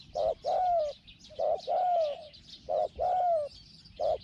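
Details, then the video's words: Small-voiced spotted dove kept as a lure for wild doves, giving hollow cooing phrases: a short note then a longer slightly falling coo, repeated about every one and a half seconds against a buzzing insect background. "ต่อนกเขาใหญ่ "เจ้าสาม"ตามตัวหมาย เสียงเล็ก หองๆ"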